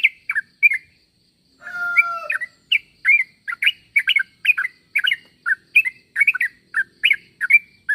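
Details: Yellow-vented bulbul calling so that others reply: a few chirps, then a steady pure whistle, then a rapid chattering stream of bright, warbled notes over a soft high hum.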